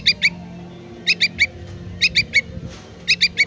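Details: Young yellow-vented bulbul calling for its parent, giving quick bursts of three high, clipped chirps about once a second against a faint low droning background.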